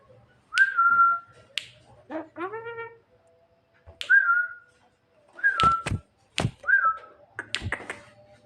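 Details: Javan myna calling its mate at night with a varied song of clear level whistles, harmonic chattering notes, and sharp clicking bursts spread across the recording.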